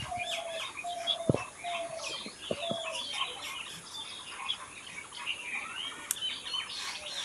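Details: Wild birds singing in an unedited nature recording. Several birds overlap in a dense chorus of high chirps and twitters, with a lower clear whistled note repeated a few times and a steady background hiss.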